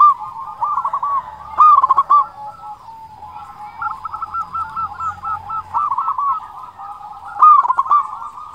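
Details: Loud local zebra doves used to draw song from silent doves: continuous overlapping rolling coos, rising into emphatic bursts near the start and again near the end.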